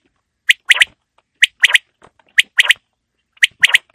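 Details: Quail call recorded for winter evenings. Four clear three-note phrases, each a single sharp note then a rapid double, spaced about one second apart over a silent background.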